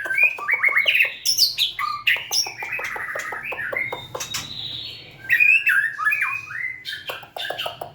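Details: White-rumped shama, a cage-bird songster, singing while dancing and wagging its tail; rapid varied song of whistles, sharp clicks and chattering notes, loud and continuous, with a brief pause near the middle.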